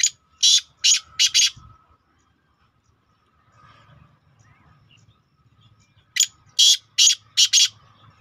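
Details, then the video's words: A partridge (teetar) call, used to lure partridges in, recorded 7/7/2023: loud, harsh, high notes in quick bursts of three or four, then a long quiet gap before another burst. "New Teetar کو جلدی Bulane کی Awaz = New Teetar بلانے ki آواز - तीतर - تیتر Bulane کا Sound"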